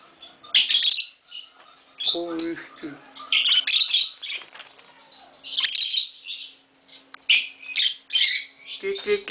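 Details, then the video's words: Pair of green Fischer's lovebirds chattering in rapid, shrill twitters and squeaky chirps, loud bursts separated by brief pauses, with a faint low voice briefly audible in the background. "Lovebird Singing & Chirping Sounds - Green Fischer Pair"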